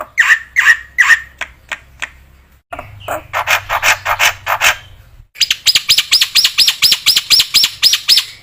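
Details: Vigorous black-winged myna song for teaching other mynas: spaced harsh notes, a burst of raspy chatter, then a steady train of bright, arching whistles.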